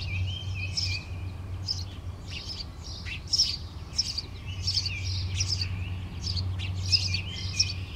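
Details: Finch family nesting inside an attic vent; high, thin chirps and tweets tumble out in quick irregular bursts, some short rising notes among them, over a steady low hum.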